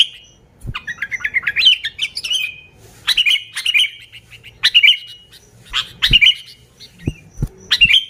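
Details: Sooty-headed bulbul in lively, unmixed song meant to lure other bulbuls: bubbly chirping phrases that rise and fall, then clusters of sharp whistled notes in bursts, with occasional dull knocks in the background.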